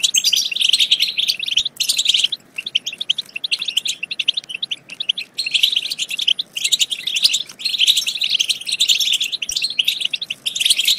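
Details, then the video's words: Long, busy stretch of goldfinch twittering, played to stimulate goldfinches to sing and mate, with high tinkling notes in overlapping phrases and short lulls between them. "بتبتة تجنن الحسون وتفقده العقل بتبتات خرافية في تحفيز الحسون على التغريد بتبتة تخرج حسونك عن السيطرة"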